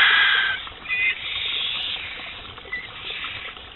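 Griffon vultures giving harsh, hissing squeals and rasping calls, loudest at the start, with a few brief thin whistled notes over a muffled, noisy background.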